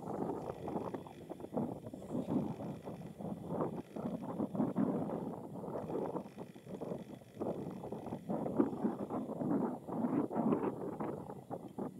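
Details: Only gusty wind rumbling over the microphone is heard, with surf-like noise and no clear animal calls.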